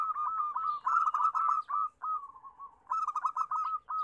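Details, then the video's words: Busy zebra dove chorus (local perkutut) used as a singing lure: loud, fast series of rolled, staccato coos with a short pause around 2.7 seconds before another vigorous burst. "Suara Perkutut Rame, Pancingan yang susah bunyi"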